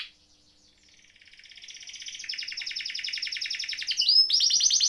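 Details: Canary singing a rolling song, used as tutor or prompting song for canaries that have gone quiet; a fast roll begins softly and swells steadily louder, then jumps after a sharp sweep into a brighter, higher trill.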